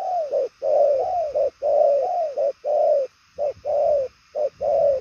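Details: Spotted dove, 'đồng son chân tím' type, cooing strongly and fast; long, nearly continuous run of drawn-out coos with slight downward slurs, then a few shorter notes after a short gap.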